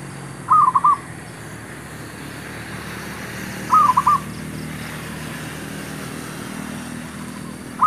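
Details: Zebra dove luring wild birds into a trap: short bursts of three or four rapid coos repeated roughly every three seconds, with a steady low rumble in the background.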